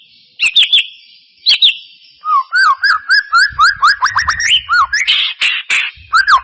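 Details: White-rumped shama, a lure recording to provoke singing: loud whistled notes in short phrases, slurred rising and falling, a sweeping series of clear whistles repeated rapidly mid-clip, with strong reverberating echo.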